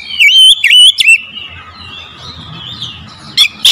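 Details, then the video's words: Oriental magpie-robin lure song with loud looping whistles and sharp chips, a long soft trailing warble over a low hum, and two final piercing notes. "PANCINGAN KACER POWER JELAS TEMBAKAN PEDAS"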